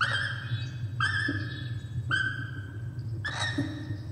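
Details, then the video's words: Laughing kookaburra in Australia giving four separate ringing, harmonic notes about a second apart, each holding a steady pitch with a slight rise at the start, over a constant low hum. "Kookaburra - Kacagójancsi"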